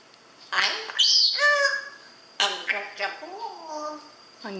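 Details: Pet grey parrot talking indoors, mimicking human phrases: a string of speech-like squawky syllables and harmonic, voice-like sliding notes, with a steady high electronic whine in the background.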